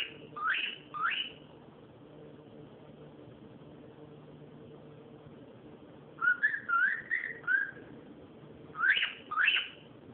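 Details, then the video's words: Cockatiel making noise, recorded on an Android phone: pairs of sharp rising whistled calls, then a run of short wavering whistles and another rising pair, over a faint steady indoor hum. "calopsita fazendo barulho"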